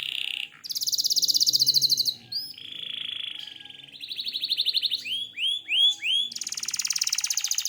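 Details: Canary song alternating rapid buzzy trills with steady whistled tones and a short series of looping upswept notes, fast and varied throughout.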